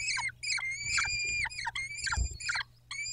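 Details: Peregrine falcon at the Dobra nest, 14 May 2021: continuous series of harsh, harmonic wailing calls, some long and flat, others short and falling, with a low knock near the end.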